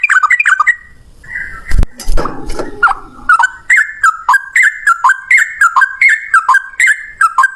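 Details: Yellow-vented bulbul giving long rapid fighting song: short dropping chirps strung together in an even, bouncing series after a brief burst of thumps and rustling.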